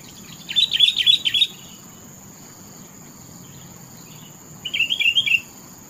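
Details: Two phrases of rapid, cheerful chirping from a sooty-headed bulbul, a bright bubbling burst at the start and a shorter, lower warbled phrase near the end, separated by quiet hiss.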